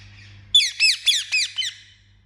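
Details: Pet Indian ringneck parakeet giving a rapid run of five harsh, squawking chirps, each sweeping downward, over a faint low hum.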